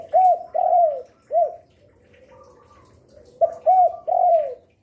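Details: Spotted dove kept to lure wild doves, said to call often from midday into night; two phrases of arched coos, each a short note, a longer falling coo and a clipped final note, with faint higher chirps between.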